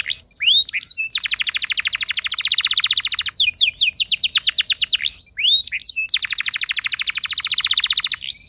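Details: Canary singing as a lure to prompt other canaries into song, with long dense buzzing trills of rapid repeated notes broken by short curved whistles, the rolls returning three times.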